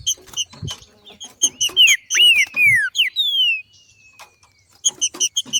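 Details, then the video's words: Green-winged saltator female in nature performing male-like song ('macheando') to excite other birds: chips, then four strong descending whistled slurs ending in a long fading drawn-out whistle, then chips resume. "Melhor Trinca ferro Macheando na NATUREZA e canto de trinca ferro para esquentar ao maximo"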